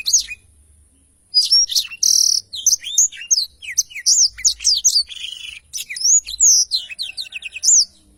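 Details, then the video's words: A Blackthroat gives its extended rolling song, recorded as a tutor for other songbirds. After a quiet first second comes a long, fast stream of high whistled notes, sweeping slurs and a harsh buzzy note. "Tarikan Suara Blackthroat Super Gacor Ngerol Panjang II masteran burung blackthroat"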